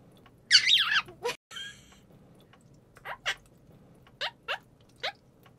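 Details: Pet quaker parrot, or monk parakeet, imitating budgerigar sounds, caught by chance indoors while its owner prepared a broadcast: one loud warbling, wavering chirp, then short sharp rising squeaks spaced about a second apart over a faint low hum.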